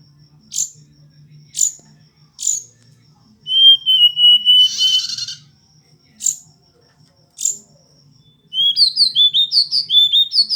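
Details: Hill blue flycatcher singing: short high piercing notes about once a second, then a sustained level whistle, a brief hissing burst, and a quick run of bright slurred whistles at the end.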